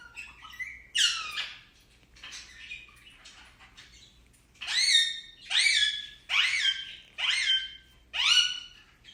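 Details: Talking pet Indian ringneck parakeet: a few mixed murmured and squeaky syllables, then six loud harsh, downward-sliding squawk-like phrases repeated roughly every 0.7 seconds.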